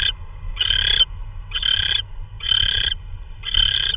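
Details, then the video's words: Owl at night, 3:12 AM on 16 March 2013, delivering prey, possibly a vole, on a live nest camera. Harsh, raspy screeching bursts about half a second long, four in the clip, roughly once a second, over a low background hum. "Roy Delivers A Vole?"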